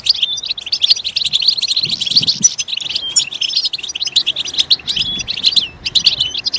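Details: European goldfinch singing to stimulate others of its kind, a fast liquid twitter with clear whistled notes and trills, soft low rumbles briefly underneath.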